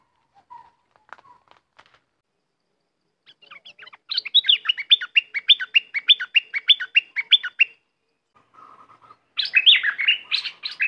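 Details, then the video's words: Bulbul of southern Thailand delivering a long run of repeated, downslurred liquid notes for several seconds, then a burst of louder, higher chattering notes after a short gap, with soft scattered chirps at the start. "เสียงนกดอกแตงภาคใต้ สายเบิ้ล!!!"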